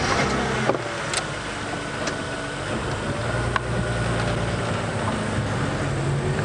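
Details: A safari vehicle's engine idles steadily with a few knocks, and no animal calls.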